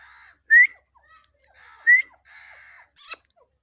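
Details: Grey francolin, known locally as Irani dakhni teetar, calling: two loud, short, rising whistled notes about 1.4 seconds apart, softer buzzy harmonic notes between them, and a sharp click near the end.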